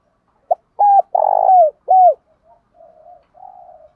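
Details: Spotted dove calling to provoke and lure a wild rival: a clipped note, then two bent notes around a longer throaty coo, followed by softer, fading low hoots.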